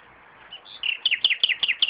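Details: In a garden where tomatoes are being planted, a common nightingale sings: a short whistled lead-in, then a rapid series of loud, clipped, down-slurred notes repeated about five times a second.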